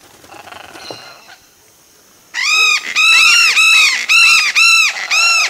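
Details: A pair of red-bellied macaws investigating a nest hole, recorded close up, give loud, shrill, arched screeches about two a second in quick bursts, with wingbeats, after a quiet start with faint rustling.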